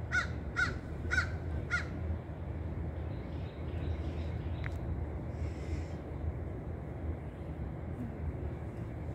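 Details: An American crow (Corvus brachyrhynchos) gives four harsh, hoarse caws about half a second apart, then falls silent over a steady low rumble of wind or distant traffic.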